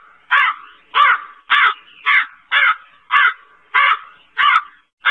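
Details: Black crow giving a steady series of about nine harsh, hoarse caws, each short and grating, spaced roughly every half second with no other sounds.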